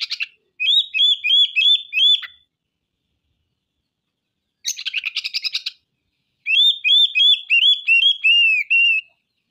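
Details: Kacer, the oriental magpie-robin, singing gacor with coarse 'materi kasar' phrases, emptying out its stock of learned sounds. A string of repeated curling whistles gives way to a dense scratchy rattle, then more ringing whistled loops.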